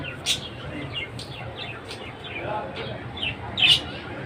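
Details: Budgies, the Australian parakeets, calling in the morning with scattered short chirps and soft warbling, including a sharp squawk near the start and another near the end.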